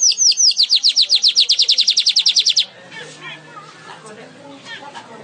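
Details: Weaver in full song, delivering a rapid series of about eighteen high, slurred, evenly spaced notes, then falling quiet while faint background chirps continue.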